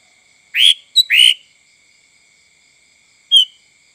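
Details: Sooty-headed bulbul, a recording played to lure other birds: loud, clear whistled notes, two short upslurred phrases close together near the start, then a single brief note after a pause, over a faint steady tone.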